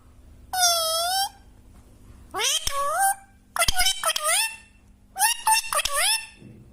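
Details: Pet parrot talking: three bursts of mimicked, voice-like syllables with strong harmonic, whistly tones, the first a steady wavering note, the later ones rising and falling, with pauses between and a quiet indoor background.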